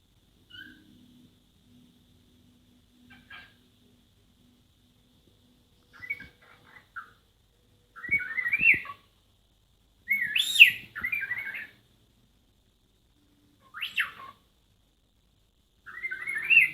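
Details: A pet snowy cockatiel in Christchurch, New Zealand, on 20 November 2016 mimics R2-D2, scream included, with bursts of warbling, sliding electronic-sounding whistles and chirps like a robot's beeps.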